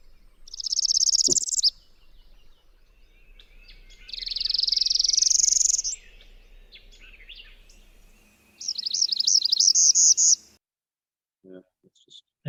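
Three high, buzzy Northern Parula trills, each rising, the last broken into a stuttering series of quick notes. A couple of faint knocks are heard between songs.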